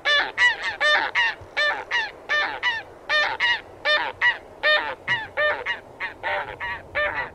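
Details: Taiga bean goose calling with a rapid series of loud, nasal, harmonic honks, often in quick pairs, about twenty notes over seven seconds, likely several birds overlapping.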